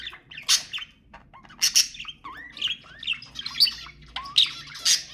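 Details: Budgerigars chattering to stimulate mating: bursts of sharp chirps and short squawks with rising and falling warbled notes, about one burst per second, over a faint low hum.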